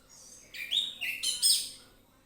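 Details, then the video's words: Orange-headed thrush in full, relaxed song used as a lure recording to prompt singing: a quick run of clear whistled notes with sharp high accents rising toward the end, then fading. "ANIS MERAH NGEPLONG SANTAI,PANCINGAN ANIS MERAH AUTO BUNYI"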